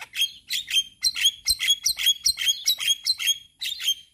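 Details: Male Javan myna song meant as a teaching lure for other mynas, a string of harsh, ringing chirps repeated about twice a second with a bright metallic tone.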